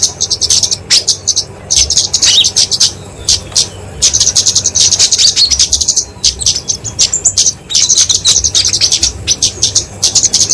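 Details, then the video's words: Fighting song of a flowerpecker, locally kemade, genus Dicaeum, used for training and luring songbirds: long runs of fast, very high ticking notes alternating with scattered single chips and brief pauses. "Kicauan Kemade Tarung Untuk Masteran&Pikatan Burung Kecil"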